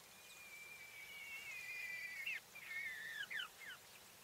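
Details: Female English White Coturnix quail hen giving long thin whistled notes that slide and bend, ending in a few quick down-slurred chirps, over a steady soft hiss.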